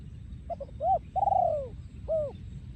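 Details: Breeding male spotted dove from Thailand cooing in the 'yon khu ang' style: two short soft lead-in notes, a brief arched coo, then a long, drawn-out falling coo and one final arched coo, over a low rumbling background.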